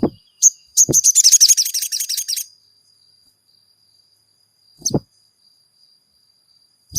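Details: Caged crimson sunbird (sogon) used to provoke another sogon into song: two high chips, then a rapid, shrill, buzzy trill lasting over a second, followed by silence broken by occasional knocks against a faint steady high whine.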